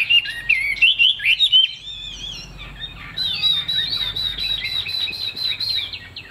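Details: Chinese hwamei kept in a cage, leaf-shaped tail, giving loud looping whistled phrases, a short pause, then a rapid rhythmic sequence of high, evenly repeated whistles.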